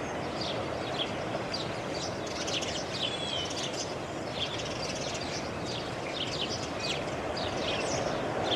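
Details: Dawn chorus on a May morning: many birds chirping and whistling at once, thin high notes scattered throughout, half buried under a steady roar of background noise.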